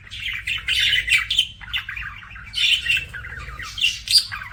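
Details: Captive budgies chattering in scratchy, squeaky bursts with bright high chirps and rapid warbles running together, steady low hum underneath.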